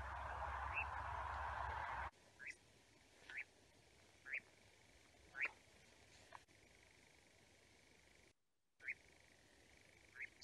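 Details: A European Nightjar in Berkshire, perched in a tree and then flying, gives short, sharp, rising 'kwik' flight contact calls about once a second, after a burst of rumbling noise at the start.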